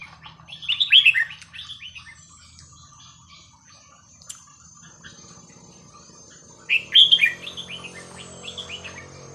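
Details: Red-whiskered bulbul performing the 'hua khrok khayao khuat' song, played for teaching young birds; two rich rapid whistled phrases, the second about six seconds after the first, with a quiet low hum between.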